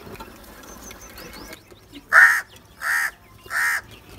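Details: Crow calling three harsh caws spaced roughly two-thirds of a second apart, the first loudest, after a stretch of faint background chirps and rustling.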